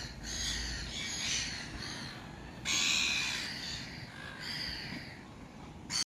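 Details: Gulls giving harsh, nasal squawking calls that overlap almost without pause, some louder bursts standing out, over a constant rushing background noise.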